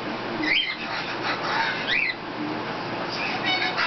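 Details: Female black lory about 19 months old, indoors while cleaning her owner's face, gives three short, harsh, nasal squawks spaced about a second apart over steady indoor background noise.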